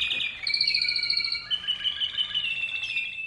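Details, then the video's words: An American Singer canary, a champion songbird of a breed developed in the 1930s, sings a continuous, high, rolling song of fast trills and sweet warbled notes, shifting pitch without pause for over three seconds. "ah the sweet sounds of the American singer Canary not your ordinary song bird"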